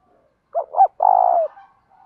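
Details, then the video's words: Cooing Spotted dove used to train wild-caught birds, male and female included: two clipped rising notes then a drawn-out trembling coo falling off, with a faint tail of soft notes afterward. "cu gáy tập bổi nhanh nổi hàng ngày"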